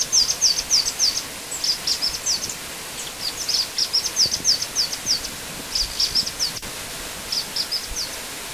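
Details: Black-winged flycatcher-shrike, known locally as jingjing batu, sings repeated phrases of high, thin, descending whistled notes, several per second, separated by short pauses across the recording, with a single sharp click midway and soft ambient noise.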